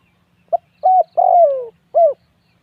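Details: A spotted dove gives a soft pip, a level coo, a long descending hoot and a final short coo, with calm background.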